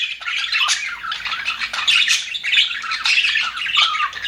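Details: Budgerigars in an aviary, presented as happy birds, chirp and warble continuously, a scratchy overlapping chatter with squeaky whistled notes rising and falling in irregular bursts.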